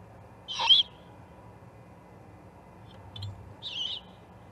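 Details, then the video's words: Juvenile great horned owl at the Charlo osprey nest, 21 October 2020: a loud hoarse screech, a few faint clicks, then a second softer rasping screech about three seconds later. "This Juvie GHO is a Hoot!"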